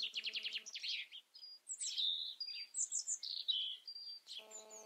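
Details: European robin song opening with a rapid trill, then tumbling through high whistled notes, squeaky slides and short pure tones in a continuous varied string, with a faint low hum at the start and end.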